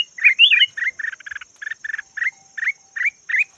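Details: Yellow red-whiskered bulbul kept as a decoy: one bright twisting whistle followed by a fast string of short, even chip notes, roughly three per second, with a thin high whine underneath.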